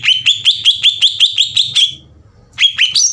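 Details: Green leafbird singing energetically, used to provoke rival leafbirds into song. Nine rapid upswept whistled notes at a steady pitch come about five per second. After a brief pause the bird resumes with rising notes. A faint low hum sits underneath.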